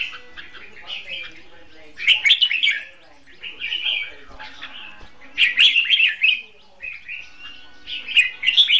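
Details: Red-whiskered bulbul used as a caged decoy for trapping, duel singing in separate bursts of warbled, chirpy phrases roughly every two to three seconds.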